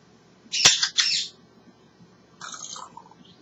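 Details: African grey parrot kept as a pet, happily vocalising: a harsh, loud double squawk followed after a pause by a softer, nasal, speech-like burst; quiet room hum underneath.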